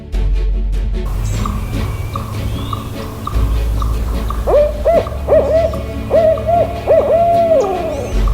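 A Barred Owl gives a rhythmic run of five or six deep, slightly inflected hoots, ending in a drawn-out descending note, over a low steady rumble and faint music.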